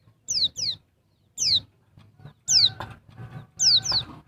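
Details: Female Bali white-eye (pleci dakbal) calling to stimulate males: bright, high downslurred whistles, mostly in close pairs, separated by short pauses, with light rustling and a faint steady tone underneath.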